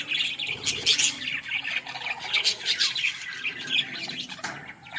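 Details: Australian parrots in a village setting chatter nonstop. The sound is a high, buzzy twittering, peppered with squeaky whistled notes from several birds.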